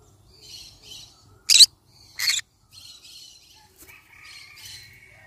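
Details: Two sharp, loud, grating squawks from a yellow-sided conure parrot stand out among softer raspy chattering notes spread through the recording.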